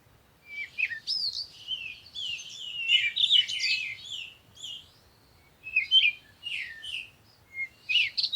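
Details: Birds chirping at morning sunrise in a long, lively stream of overlapping twitters and sharp notes, then a pause and more scattered chirps, over a soft low background.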